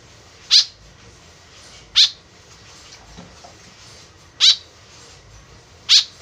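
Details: White-breasted woodswallow lure call: four loud, buzzy, nasal notes spaced about one and a half seconds apart, with a faint soft knock between them.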